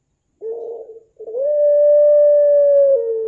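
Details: Puter pelung dove, one of nine birds with different song characters: a short low coo, a brief pause, then a long, steady, drawn-out tone held for about two seconds before dropping slightly at the end.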